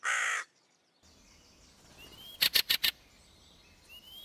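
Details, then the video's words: Hooded Crow at a Russian forest edge giving one harsh caw, then a brief gap and a quick series of four sharp, dry clicks over a low background hiss, with thin rising whistles of small birds. "Серая ворона (Corvus cornix)"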